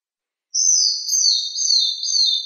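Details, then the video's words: Madi injap singing as a model for training other songbirds: after a half-second pause, one loud, sustained, high warbling whistle wavers slightly in pitch for two seconds. "Kicau MADI INJAP"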